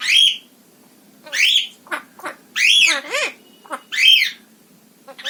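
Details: A female pet parrot calls from indoors: loud arched squawks about once a second, rising then falling, broken up by short clicks and chips between them.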